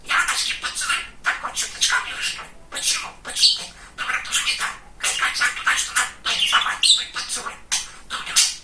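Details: Talkative pet male budgerigar chattering and talking: rapid bursts of scratchy, high-pitched, speech-like syllables, strung together almost continuously with brief pauses.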